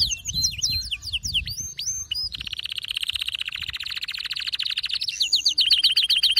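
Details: Male canary in excited song: varied whistled sweeps and chirps, then a long, even, rapid roll, finishing with high clipped notes.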